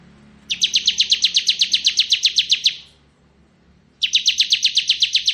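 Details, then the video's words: Bar-winged prinia, a ciblek kristal type kept as a tutor bird for magpie-robins, giving fast buzzy trills of about eighteen even notes over two seconds, pausing, then starting again. "Suara Burung Ciblek Ngebren"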